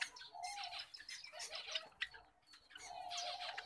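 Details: Wild-type grey Java sparrows giving a busy, overlapping chatter of short twittering chirps and dry clicks, several birds calling at once with barely a pause.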